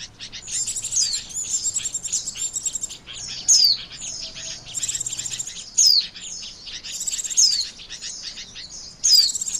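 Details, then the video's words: Lure recording of white-eyes for bird trapping: rapid high chirping trills with bright falling whistle notes dropped in at intervals of around two seconds. "SUARA PIKAT BURUNG PLECI"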